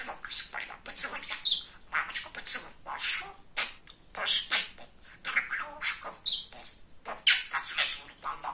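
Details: A chatty male pet budgerigar that talks keeps up a steady stream of thin, hissy, high chattering syllables with small squeaky accents, rarely pausing.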